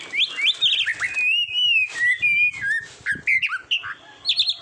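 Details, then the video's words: Kacer, the Oriental magpie-robin, singing a training recording for contest birds: long sliding whistles, some sustained and gently wavering, broken by quick upward chirps and short buzzy notes. "SUARA KICAUAN BURUNG KACER TERBAIK"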